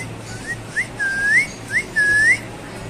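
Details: Moluccan cockatoo (Cacatua moluccensis) in a quiet room gives clear, rising whistles: two quick short upslurs, then three longer swooping notes that climb at the end.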